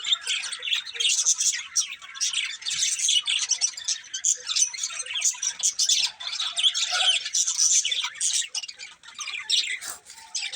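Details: Pet budgerigars chirp and warble nonstop, a jumble of quick scratchy notes, clicks and high squeaks rising and falling in loudness throughout.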